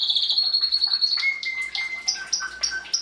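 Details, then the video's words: Domestic Belgian canary singing to encourage breeding, 2016. A buzzy high trill runs into a clear lower whistled note, then short repeated two-part chirps follow in a quick rhythm. "Canario belga cantando (MELHOR CANTO) para encartar filhotes"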